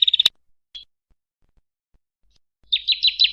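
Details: Prinia song: a short fast trill of high notes, then after a pause a longer run of rapid buzzy chirps repeated in quick succession, all high-pitched, against a silent background.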